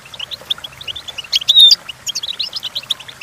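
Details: Goldfinch singing, meant as a model for training goldfinches: rapid high chirps run steadily, broken midway by a loud, clear whistled note, then resume as quick twittering.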